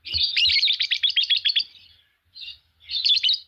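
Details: Green Fischer's lovebird pair chirping in a fast stuttering run of high squeaks, about four per second, then a pause, one short note and another quick burst.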